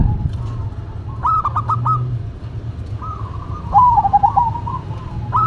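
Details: Duet of zebra doves, local against cemani, singing a rapid stuttering burst of coos and then a longer bubbling, wavering trill, over steady low hum.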